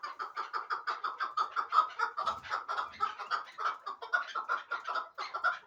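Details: Rhythmic, rapid clucking from a hybrid partridge kept for fighting and hunting: evenly spaced, mid-pitched chuk notes repeated several times a second, with faint low thumps in the middle.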